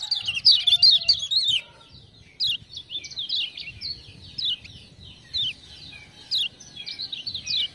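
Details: Lemon-bellied white-eye set singing by ciak-ciak prompting sounds, used as a training recording. A dense, rapid twitter of high, bending notes opens the passage, followed by repeated shorter chirp groups every second or so.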